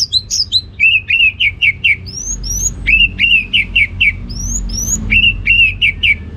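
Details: Orange-headed thrush in loud, open ngeplong gacor song, used to stir idle birds at home into singing. Short bursts of rapid, evenly spaced chips alternate with sharp upslurred whistles, repeated several times with quiet low rumble beneath.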